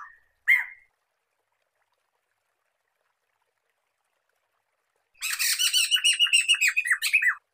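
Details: Black-throated laughingthrush (Pterorhinus chinensis) song: a single harsh note, a long pause, then a loud burst of rapid, scratchy chattering notes ending in a falling squawk.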